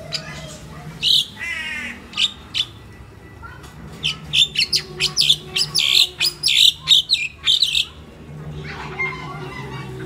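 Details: Home-kept pet crested myna in the Philippines, a mimic, chirping busily: a long irregular run of short, piercing high notes with a few rougher, buzzier calls, against low hum and faint voices.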